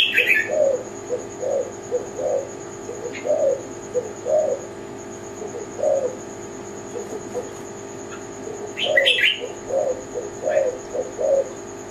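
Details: Low, soft rolling coos from a zebra dove, called tekukur Kelantan, come in loose clusters with pauses between. Loud high chirps from another bird open the recording and return later, over a steady faint whine.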